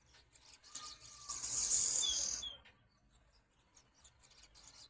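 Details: Swallows at a window give a single longer burst of high, scratchy twittering lasting about a second, finishing with two short downward slurs.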